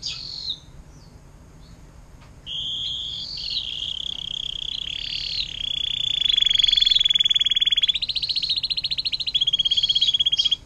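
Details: Canary singing a long 'air mancuran' (fountain-water) style song, used as a tutor for magpie robins, green leafbirds and shrikes: high chirps and then sustained rolling trills that grow louder and buzzier toward the end.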